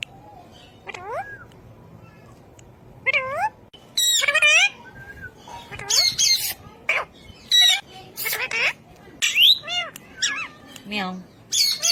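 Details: Ring-necked parakeet talking: a run of harmonic, meow-like rising and falling sweeps and short harsh squawks, bursting out every second or so over about twelve seconds against a quiet background.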